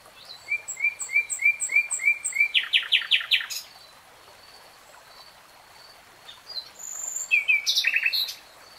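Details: Common nightingale song phrase: a row of upslurred whistled notes, then a rapid buzzy rattle. After a silent pause comes a short high phrase ending in clipped notes.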